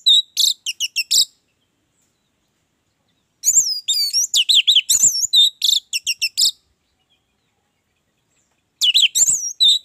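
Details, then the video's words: Energetic orange-headed thrush song in three outbursts, each packed with fast, varied whistled notes. Swooping slurs and crisp chirps follow one another in quick succession, with quiet pauses between. "Anis merah gacor"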